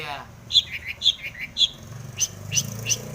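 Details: Long-tailed shrike with full mimicry fill-ins, played to coax other shrikes to sing: three harsh squeaky notes each followed by lower slurred tones, then three thin high piercing chirps, over low background rumble.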